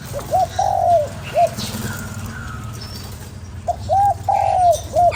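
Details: Close spotted dove calls for stimulating a lure bird: two clean phrases, each a brief hoot, a prolonged husky coo and a short final hoot, separated by a quiet gap with faint background chirps.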